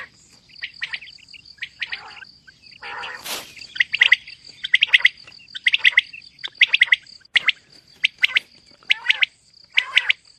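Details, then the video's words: Calling female common quail (batair), mixed calls: a loud broadband crackle early on, then repeated groups of crisp high chirps about once a second, a steady high whine running underneath. "Female Batair Calling |Quail Sounds suba k | Mix Calling | Maad Batair Ki Awaz | Female Quail Sounds"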